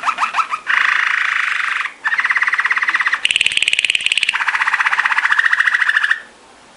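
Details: Waterslager canary song for training: brief descending notes, then long sustained rolling trills at changing pitches, including a higher ringing trill, ending abruptly.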